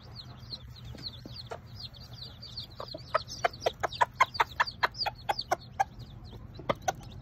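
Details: A bantam Sebright hen with her ten hatchling chicks: a stream of high, curving peeps, then a burst of loud, evenly spaced tapping knocks about four per second, over a faint low hum.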